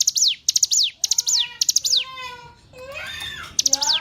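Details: Hill prinia song from a recording used to train captive songbirds: rapid bursts of three or four sharp, high notes that sweep downward, repeating about every half second, broken by a gap filled with lower drawn-out tonal sounds.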